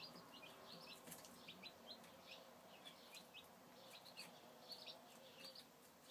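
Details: Chicks filmed in 2013 producing a steady chorus of thin, high, falling cheeps over a constant noisy hiss, with light tapping sounds.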